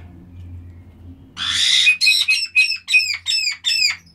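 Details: Black-headed caiques calling: a harsh rasping squawk followed by a fast string of about seven repeated arched whistled notes, each rising then falling, over faint low hum.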